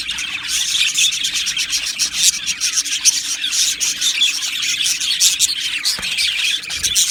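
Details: Budgerigar colony housed in an aviary, rapid scratchy twittering from many birds at once, steady and crowded, with no gaps between calls.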